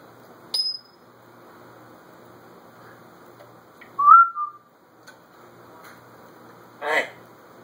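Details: Pet African grey parrot, left alone in a room and recorded on a phone, giving one brief bright whistle that bends upward then drops, with a faint click before it and a short rasping noise afterward in a quiet room.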